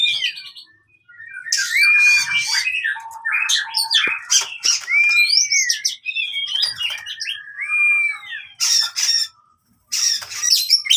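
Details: Long fighting song from an oriental magpie-robin, used to prompt birds that have stopped singing: repeated arching whistles among harsh squawky bursts and chatter, with brief pauses.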